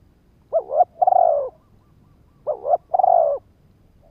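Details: Spotted dove decoy call for luring and triggering males; two phrases, each a rising-falling double coo leading into a long stuttered-onset coo, about two seconds apart, quiet surroundings.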